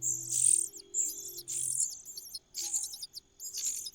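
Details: Common cuckoo in a nest begging for food: high sibilant hissing bursts repeated roughly every second, each trailing into fainter rapid chips, over a faint low hum.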